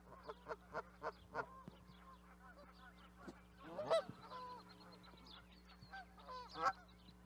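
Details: Several Canada geese honk in short nasal bursts, first a quick series, then a pause before louder, clustered honks and one sharp final call, over a constant low-frequency hum.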